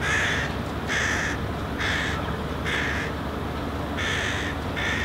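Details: Hooded crow fledgling walking on the ground, calling and gesturing at a parent that is eating nearby: six harsh, nasal caws repeated roughly once a second, evenly spaced, over steady low background rumble.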